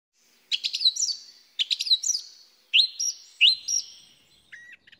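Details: A Song Thrush sings loud, clear, emphatic, exclamatory phrases, typically repeating each two or three times: a chattering trill repeated, then a rising whistled note repeated, and a brief soft ending. It sings around late March to early April, especially at dawn and dusk.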